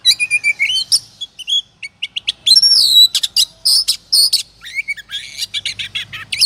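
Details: Oriental magpie-robin singing as a lure to trigger singing: rich mix of rising whistles, sharp clicks and rapid buzzy notes, loud and varied with brief pauses, faint low hum behind.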